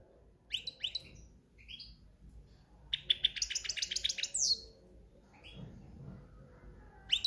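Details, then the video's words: Quieter cante campero song of a European goldfinch in breeding season: scattered high chirps, then a dense twittering run of about a second and a half. A faint low background hum is heard. "Jilguero cantando ** cante campero**"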